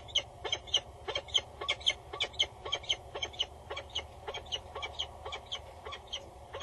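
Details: Loud female peregrine falcon bowing above a nest box on a Dutch tower, male close by, late-August morning 2019; rapid harsh chattering notes, roughly two per second, in a long run over low mechanical hum.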